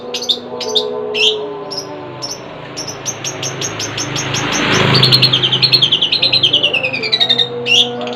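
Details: Long-tailed shrike (cendet) kept at home, giving a few squeaky chips and then a quick rattling trill of about two notes per second that drops in pitch, over a low rumble and hum.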